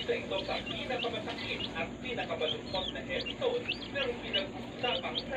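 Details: Healthy day-old chicks kept together in a brooder, a crowd of high, thin peeps overlapping continuously, many short rising and falling notes with a steady background hum.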